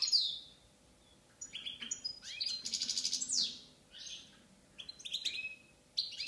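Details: Balkan goldfinch, Carduelis balcanica, giving its song: bursts of bright twittering notes, sweeping slurs and tinkling buzzy rattles, separated by short pauses of quiet.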